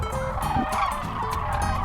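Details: Dense chorus of Sandhill Cranes during migration at Whitewater Draw, McNeal, Arizona, as hundreds more land among the packed flock: many rolling, trumpeting rattles overlapping into a continuous bugling din.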